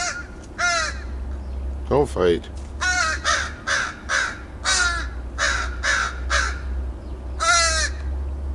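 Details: Backyard crows in Edmonton, Alberta, Canada, recorded on 28 August 2012, one going grey, giving a series of harsh repeated caws roughly every half second, with a low steady hum underneath.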